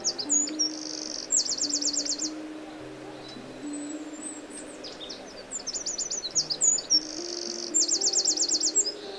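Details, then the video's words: Eurasian wren in Morocco singing two bursts of very high, rapid trilled and rattling notes, each about a second long, separated by short chips, over soft sustained background music. "Eurasian Wren birds of Morocco"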